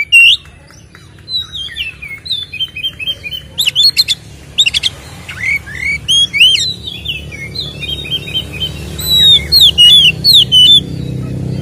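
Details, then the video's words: White-rumped shama fighting song used as a lure for captive birds: varied whistled and twisting notes, sharp clicks and rapid chattering phrases building to a dense, excited sequence, with a low hum beneath. "SUARA BURUNG Kacer gacor isian NGEPLONG TARUNG ini paling AMPUH buat PANCINGAN KACER agar EMOSI"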